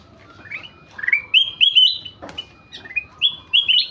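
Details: Ruby-throated bulbul in full song: rising whistled slurs and upward-stepping notes in short, varied phrases, with a brief sharp click in the middle and little other background sound.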